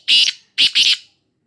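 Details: Black francolin (kala teetar) from Khushab: one loud, harsh, grating note, a brief pause, then two more rasping notes run closely together, with silence after.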